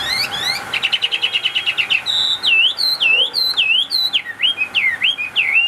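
A Chinese hwamei sings a rapid run of repeated high notes, then loud, rich slurred whistles that dip and rise about twice a second, with nothing else heard.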